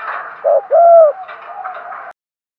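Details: Captive decoy spotted dove cooing to attract wild birds: a short hollow coo followed by a longer full coo, then softer trailing notes before the sound cuts off.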